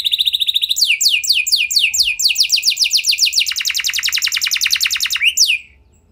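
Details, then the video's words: Lure song of an F1 canary, used to trigger singing in other canaries: it opens with a level buzzy tone, then runs through fast trills of sweeping notes, shifting into a denser, lower-pitched rattle before ending with an upward slur. "Bakal Langsung Nyaut Gacor Do00r Kenari Mana Saja Dengan Pancingan Kenari F1 Ini"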